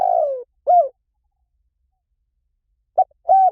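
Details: Spotted dove cooing: a long, mellow coo sliding downward, then a single rounded note, then a pause before a short note and another rounded coo. The recording is clean and no other sounds are heard.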